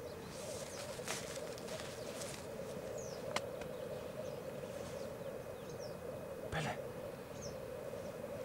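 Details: Lekking black grouse at Elverum, 2008, with 38 males present: a strong continuous bubbling murmur from the massed birds, with breathy hissing bursts near the start and again later, plus faint high chirps.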